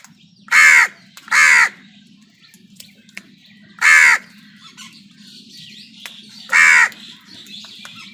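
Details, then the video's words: Crows fighting with wild birds for food: four loud, harsh, hoarse caws, the first two close together, then single caws near four and seven seconds, over a low steady hum. "কাকের ডাক Crow Sound"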